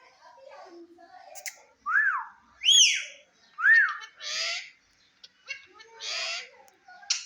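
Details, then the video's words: Indian ringneck parakeet in front of a mirror, talking: clear arched whistled syllables and hissy speech-like bursts in quick phrases, with quieter chatter beneath. "Cute Indian Ringneck Talking Parrot"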